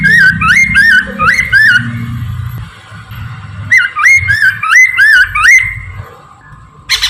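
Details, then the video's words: Morning song of a Chinese hwamei, used to lure birds: fast series of loud, looping, slurred whistles repeated about three times a second, with a pause in the middle, over a faint hum and low background rumble. "kicau gacorr poksay Mandarin dipagi"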